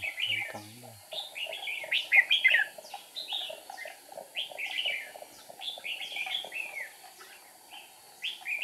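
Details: A red-whiskered bulbul used as a trapping decoy on 8 April 2019, flicking its wings and tail, sings to lure wild birds. It gives quick chirpy whistled phrases, repeated rapidly, with a brief low voice at the start.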